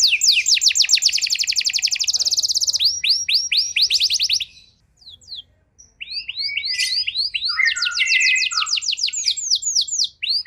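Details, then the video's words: Canary (kenari) song played as a lure to make out-of-condition canaries respond: a long, very fast rolling trill, slower separated whistled sweeps, a short pause, then varied warbles and further brisk trills. "Pancingan JITU! Terbukti Ampuh Memancing Kenari Kurang Kondisi! Seketika Langsung Respon"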